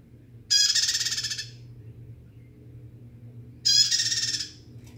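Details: Loud bar-winged prinia song in two harsh, rattling bursts of fast high notes, each lasting close to a second, separated by three seconds of quiet with low background hum.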